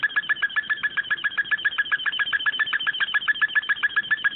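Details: Bird song meant for teaching young birds to sing: a rapid, even trill of short notes, close to four per second, held unbroken on one pitch for over four seconds.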